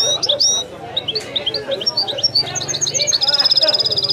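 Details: Authentic Wedani-style singing by a European goldfinch: crisp high chirps, a string of even rising notes, then a rapid metallic trill over a low steady hum.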